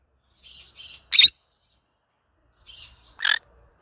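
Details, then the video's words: Green conure, happy, singing in the morning: two raspy chatter notes lead into a loud, harsh screech; the same pattern repeats about two seconds later. "Green conure sing a song in the morning happy bird"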